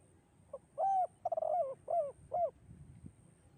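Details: Spotted dove, 'kuk 2' song style, melodious and drawn-out. A single phrase of a faint pickup note, a rounded coo, a rattling trilled coo and two closing coos, with faint low rumbling after.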